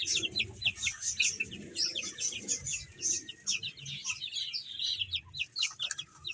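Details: A group of baby chickens eating and playing, producing rapid high peeps in quick overlapping bursts, along with soft low rustling and pecking-like knocks in the background.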